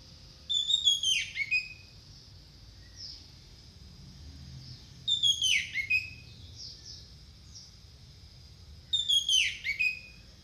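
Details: Orange-headed thrush song as a trigger recording: three loud phrases, each a cluster of sharp notes sweeping steeply downward, spaced about four seconds apart with quiet gaps between.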